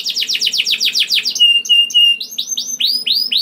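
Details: Singing canary used as a trigger for other canaries: a fast train of descending notes, a few steady whistled tones, then slower rising upslurred notes, clear and loud.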